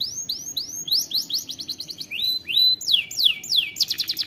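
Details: Caged canary song made of clear rising and falling whistled slurs, some repeated in short series, with fast trilled passages between, steady and loud throughout.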